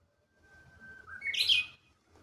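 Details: Japanese bush warbler singing in May 2025 at Kashiwanoha Park, Japan: a long, steady, level whistle, then a rising, loud, slurred flourish that ends the phrase sharply. Quiet background.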